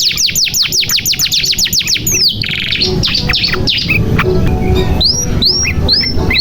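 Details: Canary song used as a lure to get silent or young birds singing: fast repeated descending whistled trills, then buzzy rolls and rising upslurred notes, continuous and bright.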